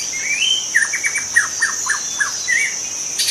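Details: Wild forest white-rumped shama singing, a recording meant to lure other shamas: a rising whistle, then a rapid series of sharp downslurred notes and a closing warble, with constant high insect buzz behind.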